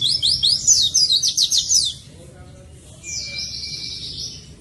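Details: Energetic oriental white-eye song opening with a fast series of high, chirping, swept notes for about two seconds, a short pause, then a thin, buzzy high trill over a steady whistled tone.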